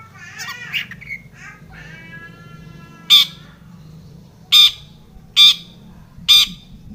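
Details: Long-tailed shrike sounds intended to provoke other shrikes to sing: a few tonal, harmonic notes at first, then four loud, rasping bursts spaced about a second apart.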